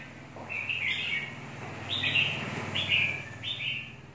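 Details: Red-whiskered bulbul uttering four short bright warbled phrases over a steady low background hum.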